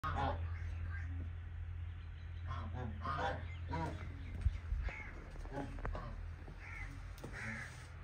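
Bronze peafowl give short, harsh, nasal calls in scattered bursts over a steady low machine hum.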